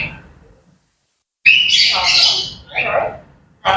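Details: Grey parrots chattering in the morning: one short squawk, then a loud harsh, noisy burst of chatter lasting about a second, followed by a lower rasping call and the start of another squawk.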